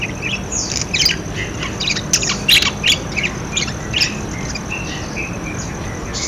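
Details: Budgerigar calls used as a lure to prompt silent budgerigars to call: scattered sharp chirps and short squeaky notes over a steady hissing, rumbling background noise.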